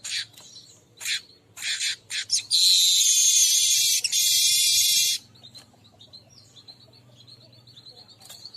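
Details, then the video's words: Weaver calling sound used to attract all kinds of weavers: short broadband chattering bursts, then a loud sustained buzzy, sizzling chatter lasting about three seconds, followed by quieter thin high notes and a faint low hum. "suara pemanggil semua jenis burung manyar"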